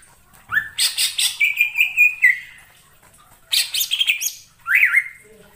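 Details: Greater green leafbird in wild forest: a rising whistle breaking into a loud chattering warble with a long level whistled note, a pause, then another scratchy warbled phrase.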